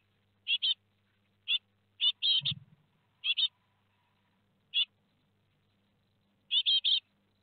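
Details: Nest webcam at Théding, 17 July 2020, on four great tit fledglings leaving the nest: scattered single and paired raspy calls spread over several seconds, plus one dull low thump partway through.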